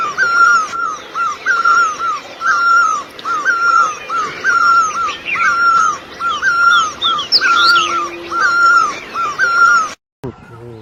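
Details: Great barbet in Asia calling a loud, mellow two-part note about twice per second in a steady repeated series, with thin higher chirps and whistles of other birds in the background and a brief cut near the end.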